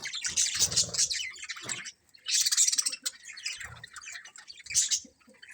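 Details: Budgerigars chirping as a colony: continuous rasping chatter with sharp high chirps, a sudden short pause, then a renewed loud burst of overlapping calls.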